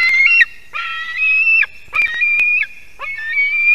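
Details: Screaming white-tailed eagle eaglet, early morning of 18 July 2023, at a spruce-top nest in Kurzeme, Durbe Municipality, with a parent on the tree top: four long, high, harmonic-rich drawn-out screams, each about a second, separated by brief pauses.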